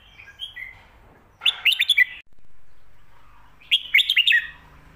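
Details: Red-whiskered bulbul song in the 'stir-fried noodles' and 'shaking bottle' styles, used to teach pet birds at home: two quick bursts of bright, bubbling whistled notes, each under a second, about two seconds apart.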